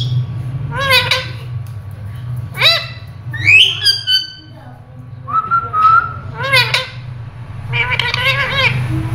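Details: Pet rose-ringed parakeet talking in Urdu/Hindi, saying the phrase "Mian Mitthu chori khani ha": a series of squeaky, harmonic-rich syllable bursts with a clear whistled, slightly rising note in the middle. A low indoor hum sits underneath throughout.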